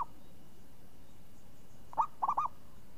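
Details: Zebra dove song, a prize-winning bird with a crisp swinging voice: a short soft coo followed by a quick trio of low rolling cooing notes, over steady background hiss.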